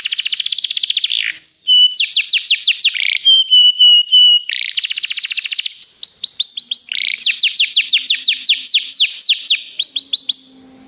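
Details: Canary song recorded for training other canaries: loud continuous rapid trills and rolls, fast series of repeated sharp notes, a steady whistled note, with phrases changing every second or two and no other sounds.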